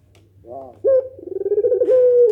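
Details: Barbary dove giving a pelung nangguk coo, a style that gets other doves responding: a soft buzzy lead-in, then a long steady pulsed coo with a slight wavering dip near the end.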